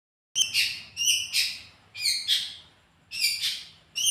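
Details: Long-tailed shrike lure song, played so a bird starts singing quickly: loud, harsh, rasping phrases in four bursts, each a quick stack of scratchy notes that fades out, separated by short pauses, clean with no background.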